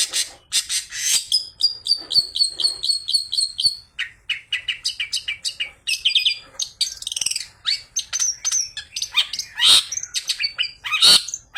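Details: Long-tailed shrike singing a lure to make other shrikes sing, full of imitated material including fighting sparrow calls. It is a dense, fast, nonstop medley of high chattering, whistled and buzzy notes, with rapidly repeated trills and sharp accents.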